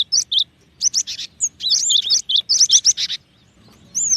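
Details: Cinereous tit giving high whistled notes mixed with buzzier chirps in irregular bursts, with brief gaps between groups of notes.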